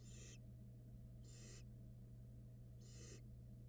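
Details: Young barn owls in a Florida camera nest box at feeding time, three rasping hiss-screeches, each short and noisy, spaced over a background electrical drone.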